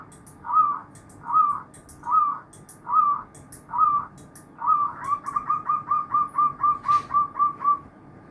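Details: Chorus of many zebra doves: five evenly spaced rolling coos, then a fast string of a dozen short, bouncy cooing notes. Light ticking sounds accompany it.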